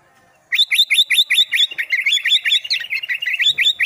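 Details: Albino sooty-headed bulbul vocalising again after days of silence: a sustained, rapid run of bright, sharp chirped notes, roughly seven per second, continuing for over three seconds against a quiet background.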